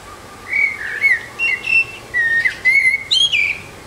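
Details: A lone Eurasian blackbird sings from a rooftop, giving a flowing string of fluted, whistled notes that step up and down in pitch, each short phrase separated by brief gaps and ending in a higher, squeaky twitter.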